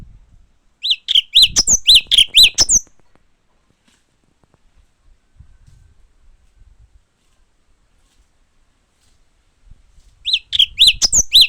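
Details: Japanese white-eye: two brisk bursts of short, high chirped notes tumbling quickly together, separated by several seconds of quiet.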